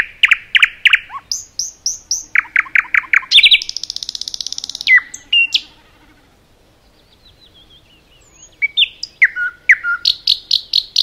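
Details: Common nightingale song in a forest, with loud repeated rich notes, a rapid buzzing trill, then several seconds of near silence before more repeated whistled phrases and a final quick series of high notes.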